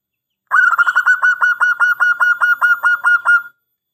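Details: Zebra dove of a local Indonesian bird, singing actively in its long-phrase style kept as a lure and master: one unbroken three-second run of roughly sixteen quick, rhythmic, slightly nasal coo notes at steady pitch, with no other sounds.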